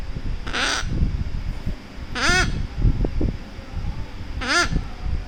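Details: Cuddled pet Severe Macaw making baby-like sounds: three rough, quavering squawks spaced roughly two seconds apart, harsh and harmonic-rich, against steady low rumbling from handling.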